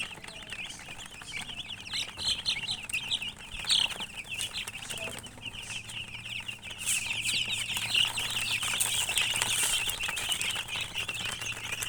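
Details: Constant shrill chirping from many colored chickens, a thick wash of small peeps that grows louder and denser during the second half, with faint hum beneath.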